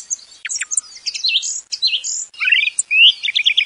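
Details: Thrush song used for hunting lures: a jumble of high scratchy and whistled notes, then a fast rising series of bright repeated notes and a quick run of ringing trilled notes.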